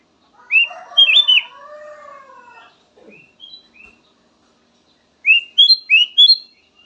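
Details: Song variation of a kutilang emas, or black-naped oriole: a few sharp whistled notes over a softer lower warble, a pause with scattered short notes, then a quick run of four bright rising whistles.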